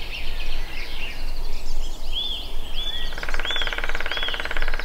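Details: Lesser spotted woodpecker at Allerød Sø, Denmark: four thin, high, arched notes about two-thirds of a second apart over a steady low rumble, with a dense buzzing hum joining partway through.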